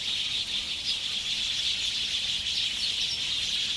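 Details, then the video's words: Sparrows crowd into an evening roost at Ngahinapouri, Waikato, New Zealand, 8 February 2021, captured on a handheld recorder with omni mics. Dense twittering and squeaky chirps overlap without pause, a few individual notes popping above the chorus. "Sparrows roosting at dusk"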